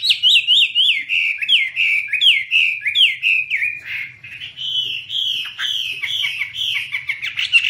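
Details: Chinese hwamei (Garrulax canorus), eastern Asian passerine, singing with wing-waving in 2017: loud, varied whistled song of repeated downslurred notes several per second, changing into sweeter warbled phrases and rapid trills, clear and dominant throughout.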